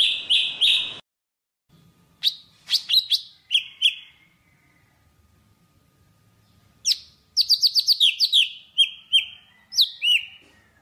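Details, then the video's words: Java sparrow singing to call its flock: it opens with a buzzy burst, then bright bell-like chips and quick clicking runs, each note dropping slightly in pitch. "Tiếng chim Thanh Tước hót gọi đàn"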